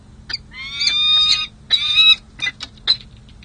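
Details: Peregrine falcons bonding on a San Jose City Hall ledge in July: two long harsh wailing notes followed by several short clipped calls, over a low steady hum.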